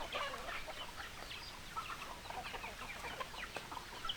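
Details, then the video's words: Several chickens cluck in quick, overlapping bursts of short, sharp notes, with occasional brief higher squawks mixed in. "Chicken Sounds Noises Hens Clucking Roosters Crowing"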